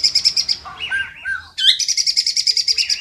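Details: Cililin song used as a training recording for white-rumped shamas, the bird described as rolling tightly, loud and clear: fast, evenly spaced high buzzy notes repeated about eight times a second, broken by a short lower warbled phrase, then the rapid roll resumes.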